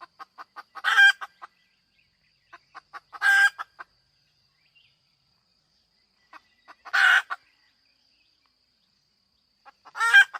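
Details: Hen calling: soft clicking clucks building into loud, drawn-out squawking bursts, four bursts spaced a few seconds apart, a faint steady high tone in the background.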